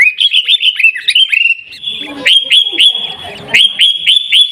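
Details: Sooty-headed bulbul, Pidie, Aceh, Indonesia, in Garuda-style song: rapid run of bubbly whistled notes, then a brief pause and a fast series of ringing flicks with sustained tones, faint background noise.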